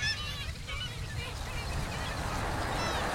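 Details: Nasal, harmonic calls rise from a busy Black-legged Kittiwake breeding colony on the sea cliffs of Cap Blanc-Nez in August. They are loudest at the start and again near the end, over a heavy low rumble of wind and surf.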